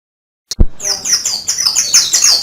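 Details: Oriental white-eye, a master bird singing in canary style: after a sharp click, a rapid run of high thin twittering notes with quick downward sweeps, dense and continuous.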